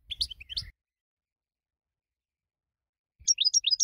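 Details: A prize-winning goldfinch, its song used for training birds, gives a short scratchy twitter, falls silent for over two seconds, then sings a quick run of bright high chirps.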